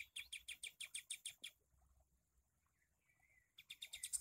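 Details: Sooty-headed bulbul, a tutor recording for training kept songbirds to imitate: a fast series of sharp, high chirps about three per second, a pause with a faint thin whistle, then the rapid chirping resumes.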